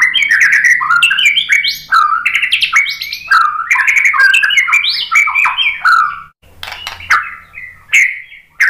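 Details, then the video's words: White-rumped shama singing a lure song meant to provoke other birds into answering: a fast, varied run of rich whistled and warbled phrases with sliding notes and buzzy ornaments, almost continuous for about six seconds, then a few separate sharp notes. "KICAUAN MURAI BATU bikin EMOSI NYAUT BONGKAR MATERI ISIAN ¦ PANCINGAN MURAI ¦ SHAMA BIRD"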